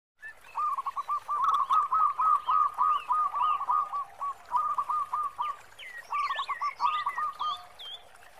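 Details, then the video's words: Local zebra dove with a big, deep 'khong' voice, singing actively; rapid runs of low cooing notes repeated in a steady rhythm, with a brief pause before a second burst; faint higher chirps from other birds above. "Perkutut Lokal Gacor Suara Khong besar"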